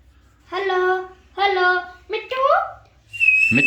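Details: Talking Alexandrine parakeet repeating two drawn-out, nasal, word-like syllables, then a quicker rising squeaky phrase and a high, steady whistle.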